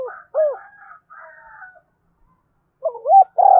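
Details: Spotted dove 'gáy thúc' cooing meant to spur caged birds to coo all day. The end of a phrase with a hooked coo, a thin higher warble, silence, then a new phrase of quick low notes starting into a long coo.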